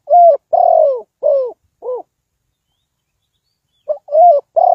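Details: Trapping decoy spotted dove giving a loud run of four hollow coos, the second drawn out and falling, then after a two-second pause starting another phrase of similar notes.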